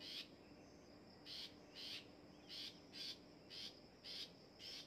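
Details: Long-tailed shrike, kept for training: short harsh, rasping bursts repeated roughly twice per second, about eight in quick series, over a steady high insect-like drone and low background hiss.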